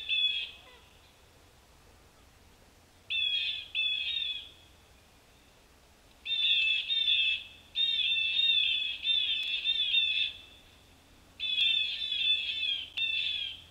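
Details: Blue Jays at the Cornell Lab feeder garden in Ithaca, Nov 3, 2022, give harsh, raspy jeer alarm calls warning of a perched Cooper's Hawk. Several birds overlap in bursts of one to three seconds against a quiet background hum.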